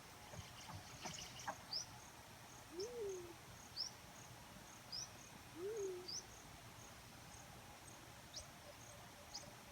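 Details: Two low, rising-then-falling hoots from a black-chinned fruit dove, about three seconds apart, over a steady backdrop of short high insect chirps.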